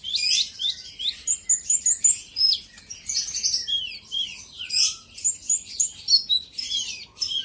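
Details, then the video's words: Sunbird (kolibri ninja) singing to rile a rival bird. Energetic high chattering is mixed with thin level whistles and down-slurred notes, delivered in rhythmic bursts about every second. "Pancingan burung konin kolibri ninja auto gacor"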